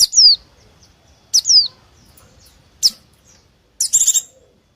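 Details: White-eye calling to lure wild small birds: doubled high whistles sliding down, repeated about every 1.4 seconds, a thin chip, and a closing short buzzy trill.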